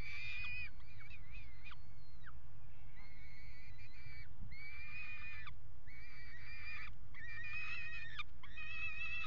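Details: At the Axel water tower nest box in the Netherlands, 5 February 2018, a peregrine falcon pair mates on the box edge. Harsh, nasal wailing calls run almost continuously in repeated bursts, some ending in falling slurs, over constant low hum.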